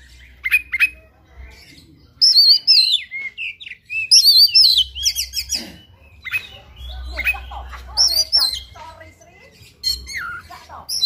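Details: Kacer, the oriental magpie-robin, singing aggressively in 'tarung ngobra full isian' style: a dense medley of high chirps, whistled slurs and rasping trills in irregular bursts, some harsh notes, with a low background hum.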